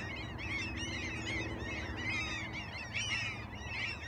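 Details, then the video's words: A flock of Alaskan gulls gives overlapping squealing, slurred calls, some louder nearer cries standing out near the end, over a low steady rumble. "Sea Gulls are no respecter of the weather!"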